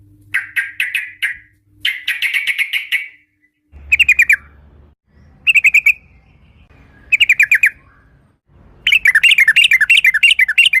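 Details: Sooty-headed bulbul, played as a lure to prompt singing: bursts of rapid trilled chatter with rolling, wavering whistled notes. Short silences separate the bursts, and a faint low hum sits between them.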